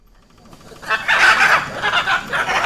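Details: Hyacinth macaw giving loud, harsh, raspy screeches that begin after a quiet start and run in several rough, broadband bursts through the rest of the moment.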